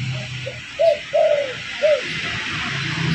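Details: Spotted dove lure call: a quick hollow coo, then a longer falling drawn-out note, then another short coo, delivered softly over steady low hum.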